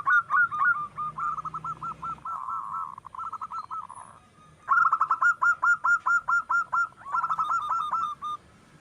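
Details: Local wild zebra dove singing steadily, used as a lure for other doves: soft cooing phrases of rapid repeated short notes, about two per second, in runs of several seconds broken by brief pauses.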